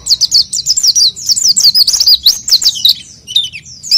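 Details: Oriental white-eye song used as a lure for training other white-eyes: a fast, high twittering run of chirps and downslurred whistles, then a short pause and a few scattered notes, with a low hum beneath.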